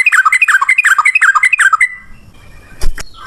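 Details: Yellow-vented bulbul in ropel ngalas style, used to coax birds into replying: a two-second burst of fast jerky chirps and slurred notes, then quiet with a couple of faint knocks.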